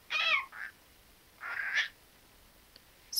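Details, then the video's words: Talking pet parrot uttering two hoarse, word-like phrases about a second apart, each rough and mid-pitched, followed by a faint click and a brief squeak in an indoor setting. "Попугай Чика разговаривает многого..."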